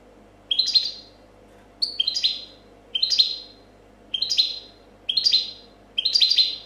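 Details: Competition champion European goldfinch from 2014, singing a clean 'copia' style song: six bright twittering phrases of stacked descending notes, each under a second, repeated roughly every second with short pauses between.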